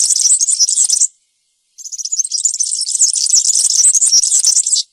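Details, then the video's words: European serin singing in the wild-type campero style, a very high, fast, sizzling jingle of tightly packed notes that runs about a second, pauses briefly, then resumes in a longer unbroken outpouring. "𝗩𝗘𝗥𝗗𝗘𝗖𝗜𝗟𝗟𝗢 𝗖𝗔𝗡𝗧𝗔𝗡𝗗𝗢 𝗖𝗔𝗠𝗣𝗘𝗥𝗢"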